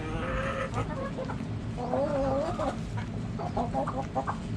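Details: Backyard hen flock: a long, wavering, tonal moan rises and falls mid-clip. Choppy clucks come before and after it, with several birds overlapping above a low rumbling background.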